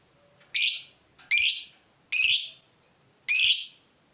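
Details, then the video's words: Fighter lovebird stirred up by a rival gives four separate harsh, rasping high calls, each about half a second long, spaced roughly a second apart with quiet between. "Lovebird FIGHTER terpancing Panas, nyaut Ngetik lanjut Ngekek Panjang"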